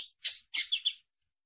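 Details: Female double-collared seedeater calls meant to prompt males to sing: harsh, buzzy, high chirps in a quick group of four, with the last three running together. The sound is slightly rough, and the clip ends in silence.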